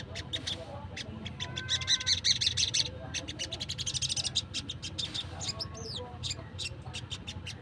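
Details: Calling wild sunbird, a recording meant to attract wild birds: fast, thin, high twitters in uneven bursts, some trilled stretches, with a couple of swooping whistled notes near the end over a low hum.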